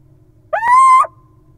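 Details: Little owl nestlings in a wild nest box, found two days old on June 5: one loud, clear squealing chirp about half a second long, rising slightly and holding steady before dropping off, over faint low hum.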